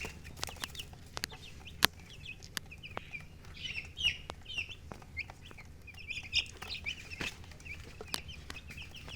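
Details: Chicks chirping among hens, steady high peeping notes in small bursts, some louder clusters, with sharp clicking taps scattered through and a low background hum.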